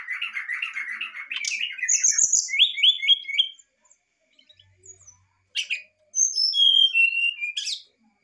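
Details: Excited brown-chested jungle flycatcher singing to provoke a response: a run of buzzy rattling chatter, then clear whistled notes stepping down in pitch, a pause, and another phrase of high whistles sliding lower.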